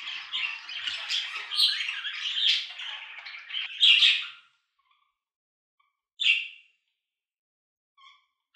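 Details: Budgerigar chatters in a scratchy warble for about four seconds, ending in a loud squawk. After a quiet pause come one sharp chirp and a faint short note.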